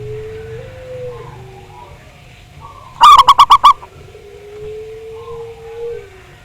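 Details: Zebra dove lure recording meant to trigger singing. A single burst of five or six quick, loud, ringing notes at mid-clip, set between long, low, steady tones and faint softer coos.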